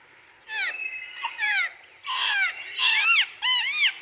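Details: Rose-ringed parakeets: harsh screeching calls in four bursts, with arched, raspy notes and shrill squawks over a faint background hiss.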